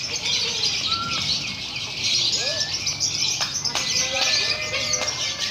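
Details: Simulated lovebird singing-contest recording, used to accustom young birds to competition: lovebirds chatter in a dense, shrill, unbroken stream of high buzzy notes.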